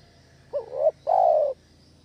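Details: A single spotted dove lure phrase for trapping doves: a quick rising two-step coo, then one long, smooth, slightly falling coo.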